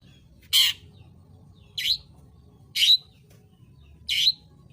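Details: Long-tailed shrike, a mimicking songbird known for sharp, shrill screeches, giving four harsh, scratchy, high-pitched notes spaced about one to one and a half seconds apart, each a short burst with a bright whistled edge; quiet background.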